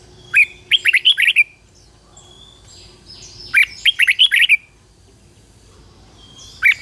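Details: Red-whiskered bulbul used as a decoy, singing to lure wild bulbuls: short bursts of six or seven bright, chirpy warbled notes, two phrases a few seconds apart, then a lone note, with faint thin whistles between.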